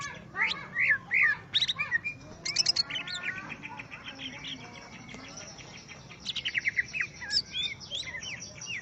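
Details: Greater green leafbird in song facing a rival: loud chattering bursts of rapid repeated notes mixed with looping whistles, a quieter lull midway, then another fast rattling series.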